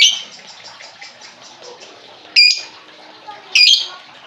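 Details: Lovebird sounds used to prompt a quiet lovebird to sing: a soft fading chatter at first, then two loud, sharp, shrill squawks about a second apart.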